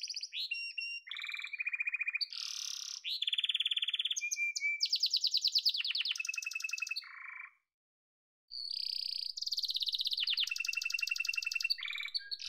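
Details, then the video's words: Song of a yellow domestic canary: a continuous run of fast rattling trills and rolling tours, switching between high and lower pitches, broken by one brief pause before the rapid trilling resumes. "Muhteşem Kanarya Sesi: Sarı Kanarya'nın Efsanevi Ötüşü"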